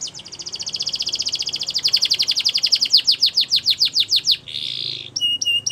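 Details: Gloster canary training song with a long rolling trill that gradually slows into separate downslurred notes, followed by a short buzzy burst and twangy notes.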